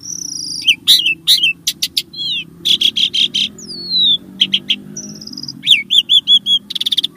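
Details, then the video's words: Starling singing, played to encourage caged birds to sing. High whistles and clicks, a long falling whistle near the middle, then a string of repeated looping chirps and a buzzy ending over a faint low hum. "Kicau Burung Jalak | Cocok Untuk Pancingan"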